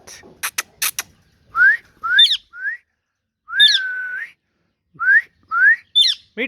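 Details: A hand-tame pet Rose-ringed parakeet (green ringneck) mimics talking with short rising whistled notes and clipped speech-like syllables, roughly one every two seconds, after a few sharp clicks.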